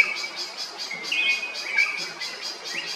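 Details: Kerala, India: a drongo utters a few clear whistled notes, one rising and sweeping, against a rhythmic pulsing insect chorus that beats several times a second.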